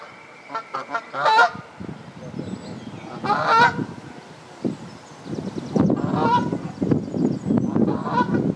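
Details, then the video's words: Canada goose (Branta canadensis) at a nest with egg-laying geese on the South Pond, Midhurst, West Sussex, England, giving loud, nasal honks in short bursts a few seconds apart, over a steady low rumble of wind or water. "Canada Geese"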